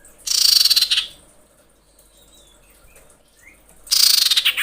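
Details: Female common iora calling to males. Two loud, dense, harsh trilled bursts about a second long with a thin whistle inside, separated by a quiet gap holding only a faint short note.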